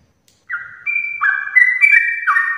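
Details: Morning song of a sooty-headed bulbul in 'ropel' style, used to encourage other bulbuls to sing. After a short silence, mellow whistled notes begin, holding steady pitches and then tumbling into quicker, louder descending phrases.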